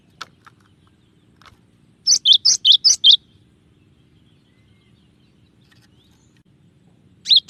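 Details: Cinereous tit, locally gelatik batu, singing a clear song of the style called tembakan. A short burst of five or six bright two-note whistles, high then dipping lower, comes in the middle, with a few faint ticks and a final phrase at the end.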